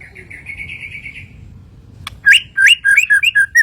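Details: White-rumped shama from Kalimantan singing: a rapid trill of short buzzy notes, then after a brief gap a burst of loud, varied whistled phrases, some rising and some falling, over low background hum.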